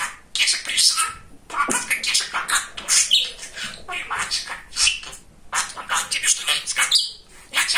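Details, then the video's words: Chatty pet male budgerigar talking; fast, raspy imitated speech syllables run together in bursts, with a few high chirps. "Говорящий Волнистый Попугайчик"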